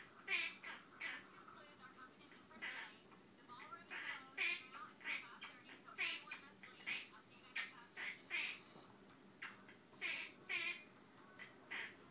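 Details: A male monk (Quaker) parrot strings together short, squeaky, chattering notes in a rhythmic, seemingly made-up song whose meaning is unknown.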